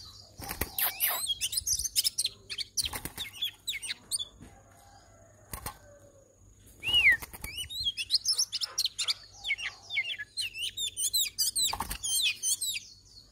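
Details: Oriental magpie-robin at a home trap set for females, giving varied high whistles and chattering phrases, broken by a sharp wing-flap and rattling clicks.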